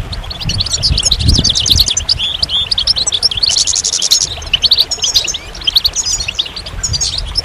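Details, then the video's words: Goldfinch singing a fast, continuous stream of tinkling, twittering high notes mixed with short buzzy trills and brief pauses, with a few low thumps early on. "Magical Goldfinch Songs"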